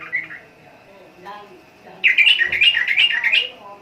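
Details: Trucukan, the sooty-headed bulbul: a few quiet notes, then a sudden loud burst of fast, bright, bubbling warble lasting over a second.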